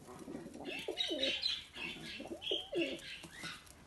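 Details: Young racing pigeons of 2022 at home in a garden: two bouts of arching, rising-then-falling coos, each bout lasting about a second, mixed with higher chirpy squeaks.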